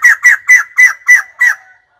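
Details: White-crested laughingthrush (Garrulax leucolophus) call: six harsh, cackling notes in quick succession, about four per second, each dropping slightly in pitch, with nothing else heard.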